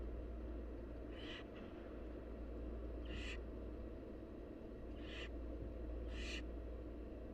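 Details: Four raspy hissing screams from wild barn owl nestlings begging during a feed by their mother, spaced one to two seconds apart, set against a steady low mechanical hum.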